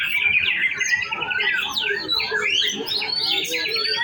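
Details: Male white-rumped shama at a songbird contest practice session, delivering rapid whistled sweeps and rising and falling trills mixed with harsh chatter, amid other birds singing at the same time.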